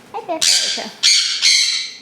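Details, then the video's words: Pet sun conures in a home where three are kept: two harsh, broadband screeches, each about half a second long, following brief human speech at the start. "Just How Noisy Are Sun Conures?!"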